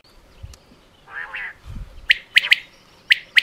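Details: Common quail giving a short, low rasping note, then one sharp, high three-note phrase and the start of another a second later, with faint low thumps beneath.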